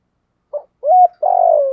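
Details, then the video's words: Part of a spotted dove's 'giọng thổ' style 'thúc gù' phrase: a brief note, a clear rising-then-level coo, then the start of a long rolling, vibrating coo, cut off. "cu gáy giọng thổ thúc gù đỉnh của chóp"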